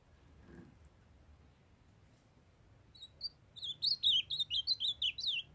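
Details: Young male ultramarine grosbeak in song, urged on by a calling female: after a faint rustle, a lively string of about a dozen sweet, swooping whistled notes, rising in volume and pace.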